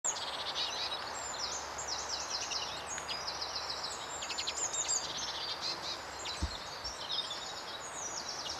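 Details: A flock of lesser redpolls at a feeding station on Cromwell Bottom Nature Reserve, one pale bird possibly a Mealy Redpoll, keeps up constant overlapping chatter of high, dry, buzzy trills and twitters against a steady background hiss.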